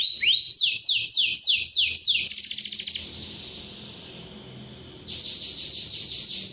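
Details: Canary song used to encourage young canaries to start singing quickly: rapid high trills of repeated downslurred notes for two seconds, a buzzy rattling trill, a near-silent pause, then another fast high trill.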